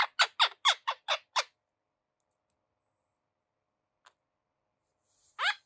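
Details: A pet Quaker parrot (monk parakeet) in its eleventh week gives a quick run of seven harsh, raspy squawks, falls silent, then resumes with another burst of grating chatter.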